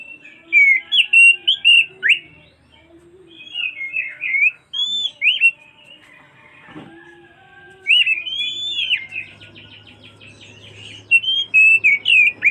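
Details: Oriental magpie-robin singing on and on to call its companion, delivering bright whistled and warbled phrases in clusters separated by quiet gaps, with a faint low steady hum late in the recording.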